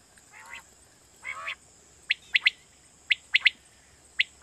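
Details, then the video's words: Quail call used in Pakistan to lure quail for night hunting: two soft, nasal, harmonic calls, then sharp high notes in quick triplets repeated about once a second, over a steady hiss. "Batair Kirak batair ki Awaz For Night Hunting"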